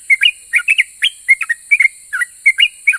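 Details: Yellow-vented bulbul in full voice, its song provoking other bulbuls to reply: rapid clusters of chattering whistled chirps, two or three at a time, tumbling up and down in pitch, with a steady hiss above.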